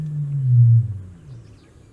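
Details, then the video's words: Somali ostrich (Struthio molybdophanes), East African bird of shrubby, thicker vegetation in the Horn of Africa, gives a deep, booming hum, very low and steady, swelling for under a second and then fading into a lower rumble. "Avestruz somalí (Struthio molybdophanes) Canto"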